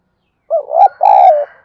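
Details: Spotted dove coo used to provoke wild doves to respond, a soft wavering first note rising into a longer, even, hollow second note, loud and clean against a silent background.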